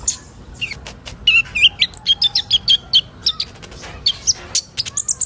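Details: Sunbird called kolibri ninja, used as training song for young birds: a lively warbling sequence of high chirps, slurred whistles and short trills, starting softly and then growing loud and busy.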